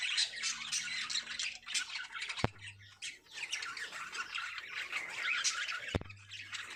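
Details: Breeding lovebirds singing in a loud, continuous mass of harsh squawks and shrill chirps, with two sharp clicks standing out.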